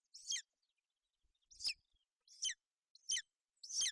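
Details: Golden eagle at a nest in Bucovina on 28 May 2021, a female sheltering her chick from bad weather, both calling. Five thin, high chirps at irregular intervals with silence between.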